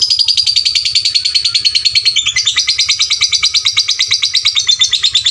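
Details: Loud lovebird call used to train fighter lovebirds: an unbroken fast shrill chattering trill, steadily pulsing for over five seconds, with a faint low hum.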